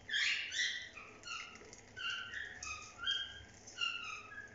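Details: Several cockatiels chatter while bathing, a busy stream of short, bright chirps and whistled notes, overlapping and rising and falling, over a faint patter of water.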